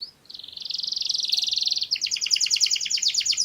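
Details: Canary singing for mating: a long fast buzzy trill held steady, then shifting into a quicker rhythm of higher paired notes, with a faint low tone beneath.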